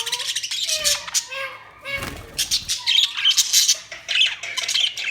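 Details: Budgerigars chirping: bursts of broadband scratchy squawks and chatter mixed with short clear whistled notes, in uneven clusters with brief pauses between them.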